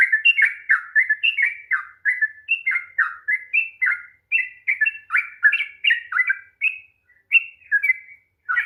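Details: Sooty-headed bulbul in a lengthy fast song meant to provoke lazy birds into singing: dense bursts of bright, bubbling whistled notes tumbling up and down, with brief gaps near the end.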